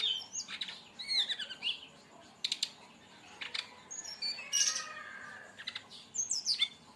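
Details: Brown-chested jungle flycatcher performing a 'tembakan' song meant to lure or train other birds: quick whistled slurs and trills broken by harsh rasping bursts, a loud scratchy phrase midway and high sweeping notes to finish.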